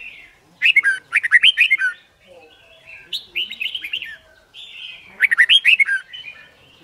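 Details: Competition singing of a red-whiskered bulbul, played to train birds to pick up song fast: three loud bursts of quick, throaty warbles sliding up and down, joined by softer connecting notes.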